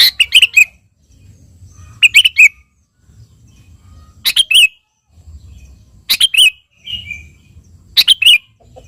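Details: Sooty-headed bulbul in full song, calling a rival: clusters of three or four rapid chirping notes ending in a bright down-slurred warble, repeated about every two seconds, with quiet low rumbling in the gaps.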